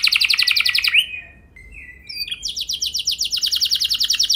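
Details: Canary lure song for getting other canaries to sing long rolls: a fast pulsing trill, a quiet gap with soft thin whistles, then the rapid trill resumes steadily.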